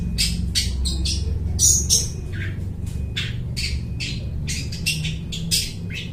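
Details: Long-tailed shrike imitating other birds' voices, used as a trapping lure; a fast stream of rasping, squawky notes packed several per second, uneven in rhythm, with a constant low droning hum beneath.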